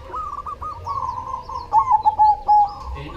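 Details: Cemani zebra dove cooing: a run of soft, rolling trills, then louder, clearer stuttering coos near the end, over a low rumbling background.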